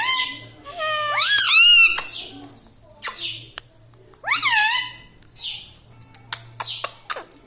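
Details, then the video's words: Indian ringneck parakeet, a talking pet parrot, laughing: two loud harmonic, rising-then-falling squawky phrases, then softer hissy bursts and sharp clicks. "Hasne Wala Tota || laughing mitthu || Talking Parrot"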